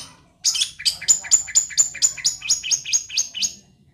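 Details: Fierce long-tailed shrike giving about twelve harsh, high, chattering notes, each with a lower buzzy tail, repeated evenly about every quarter second for three seconds against a quiet background.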